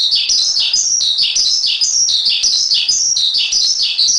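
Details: Javan pied starling song as a master track for training songbirds, with piercing chirp-and-slur phrases repeated rhythmically, about twice each second, loud and clear.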